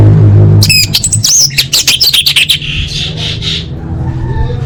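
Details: Orange-headed thrush song used as masteran, tutor material for caged birds: a three-second burst of rapid clicking notes, chatter and high bright whistles, then softer fading warbles, all over a steady low hum.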